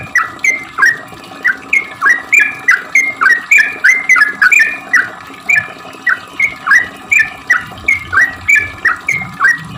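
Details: Lure song of a sooty-headed bulbul: bright, hooked whistled notes in quick, slightly uneven bursts, some paired or tripled, pausing briefly, over a quiet low hum.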